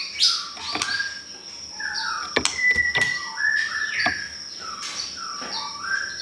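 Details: Pastol song used as a training lure: bursts of slurred, descending whistles with loud snapping clicks between phrases, over a constant thin high tone.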